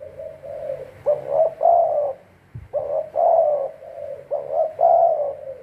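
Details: Trapping decoy spotted dove repeating its cooing phrase three times: quick doubled coos followed by a long, slightly wavering coo, with a brief tap between phrases.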